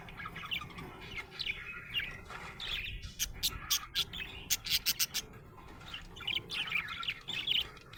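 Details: Happy budgie chattering with warbled chirps, interrupted mid-clip by a run of sharp, evenly spaced clicking taps before the twittering resumes.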